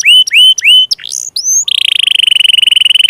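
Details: Canary song used as a lure to get stalled, lazy or young canaries singing: three loud upslurred whistled notes, a few sweeping phrases, then a long rapid even trill held near one pitch.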